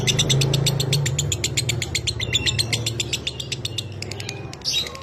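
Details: Caged pet lovebird giving 'minor kering' style chatter for training other birds, a dense run of rapid dry ticking notes over a constant low droning hum, ending with a short squeak.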